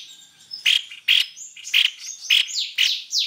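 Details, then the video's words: White-necked babbler, used as a lure recording: loud, sharp chip notes about every half second, alternating with thin whistles that slide downward, ending in a string of descending whistled sweeps. "pancingan tepus leher putih"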